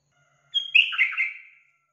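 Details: Yellow-vented bulbul, used as a lure to make a kept bird sing readily: a single bubbly, gurgling phrase of about one second, opening with a thin whistle and tumbling through rapid warbled notes.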